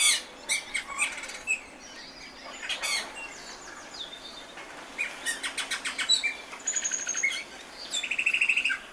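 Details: Austral thrush delivering a busy, varied song: scratchy high notes, falling whistles, a long rapid trill in the middle and a thin sweet trill at the end.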